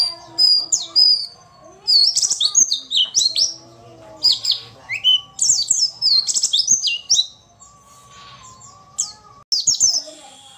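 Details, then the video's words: White-eye, described as a female, used to provoke lazy males into singing quickly as in the wild; high, thin twittering in quick bursts of slurred, rising and falling chirps, with short pauses between phrases. "pancingan pleci malas bunyi"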